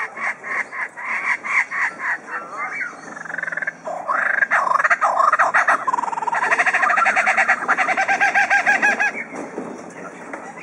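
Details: Superb lyrebird in captivity at Adelaide Zoo, Australia, imitating sounds like a flock of lorikeets, magpies and tools: long sequence of rapid repeated notes, dense harsh chattering and buzzy trills, close to a mechanical rattle.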